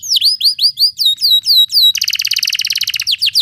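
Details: Canary song used as masteran playback for quiet canaries: about ten loud whistled slurs falling in pitch, then a rapid, dense, pulsing roll and two final upswept notes.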